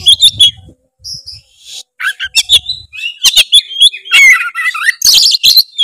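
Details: Oriental magpie-robin singing to challenge a quiet bird, rapid whistled phrases mixed with buzzy scratchy bursts and chattering, building to a dense final flurry; faint low rumble at the start.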